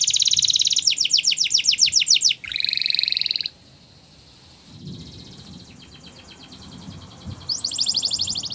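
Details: Wild canary song: rapid rolling trills and a buzzy two-toned roll for about three seconds, then near quiet with faint distant trilling before a final high roll returns.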